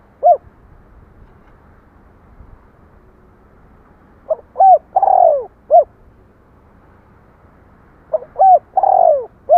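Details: A spotted dove gives a lone soft hoot, then two full cooing phrases. Each phrase has short hollow notes building to a drawn-out descending coo and ends with a crisp final note. There is faint hiss between phrases.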